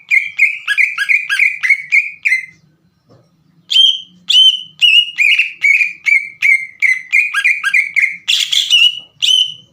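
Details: Green leafbird in full song, used as a lure to make other leafbirds sing along and respond; loud whistled notes around the same pitch repeated rapidly in bursts, each with sharp downward slurs, one brief pause, then a buzzy flourish near the end.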